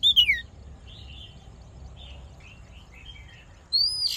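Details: Oriental magpie-robin fighting song for voice training: a loud downslurred whistle opens, then soft scattered warbled notes, and a bright rising whistle with a harsh note closes the passage.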